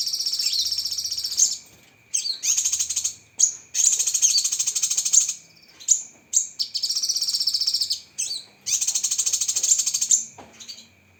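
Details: Cucak kinoi tutor song packed with sharp 'tembakan' phrases: long, loud, high buzzy trills of one to two seconds, repeated with brief breaks and short sharp notes between, a faint steady whine underneath.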